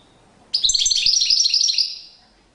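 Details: European goldfinch in courtship display, delivering a lively high-pitched twittering phrase of rapid chirps and trills, roughly a second and a half long, ending in a fading tail.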